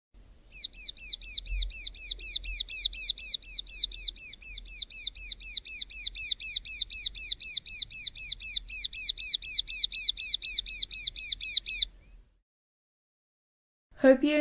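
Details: A Rufous-eared Warbler (Malcorus pectoralis) in the southern Karoo, South Africa, sings a long, even series of high, sharp notes, about four per second for eleven seconds, then a brief burst of other sound at the end.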